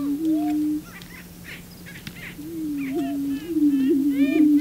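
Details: Prairie chicken males displaying for a female on the booming grounds; low hooting boom that fades, then resumes, with whooping cackles building toward the end.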